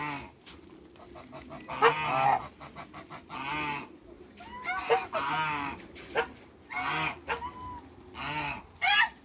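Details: Spaced honks from three African geese, two male and one female, in a backyard, harsh calls rising in short bursts with quieter murmuring between.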